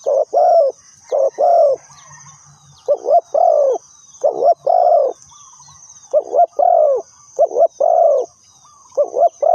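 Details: Spotted dove used as a lure bird for trapping, giving repeated mellow cooing phrases: short grouped hoots with a longer, falling coo, pausing between bursts, over a steady high insect drone.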